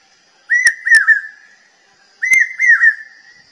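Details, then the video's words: Common hawk-cuckoo, the brain fever bird, gives two loud whistled phrases of three notes each, the notes slurred and slightly falling, about two seconds apart, with sharp clicks over the first phrase. "Common Hawk Cuckoo Bird Sound | চোখগেলো পাখির ডাক | Keteki Bird | Brain Fever Bird Call"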